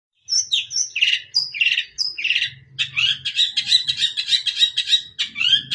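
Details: Long-tailed shrike in energetic full song packed with varied fill-in phrases: high whistled notes and harsh buzzy bursts, then a fast run of rapid repeated chattering notes, about a hundred phrases a minute.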